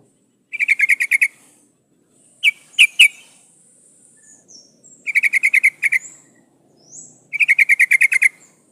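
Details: Sooty-headed bulbul female in breeding condition calling the male: three fast chattering bursts of about ten notes each, separated by a few single sharp chirps and faint thin whistles.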